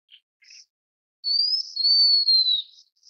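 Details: High clear whistle from a blue-winged minla: a rising slur leading into a long, gently descending thin note lasting over a second, preceded by faint short chips and followed by one soft high tick.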